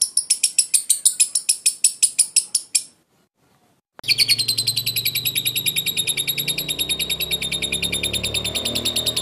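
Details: Lovebird performing ngekek konslet: a burst of fast, shrill chattering notes that stops briefly, then resumes as a denser, quicker, continuous rattle of high rasping notes with some low background hum.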